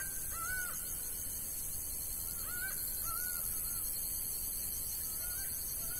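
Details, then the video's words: Laughing falcon from the sertão of Bahia repeating short paired nasal notes at intervals of one to two seconds, fairly soft, over persistent high hiss. "Canto Da Ave Acauã"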